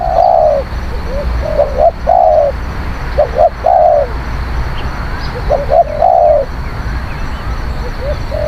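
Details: Song of a spotted dove, a bold and eloquent cooer used to lure wild doves: bursts of short notes running into long, mellow, down-slurred coos, separated by brief pauses.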